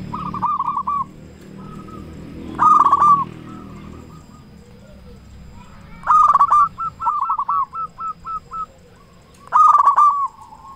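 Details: Local zebra dove with a big, constantly singing voice, used as a lure to make other zebra doves sing; three loud bursts of rapid, staccato cooing notes, each ending in a short run of clipped coos, with quiet gaps between.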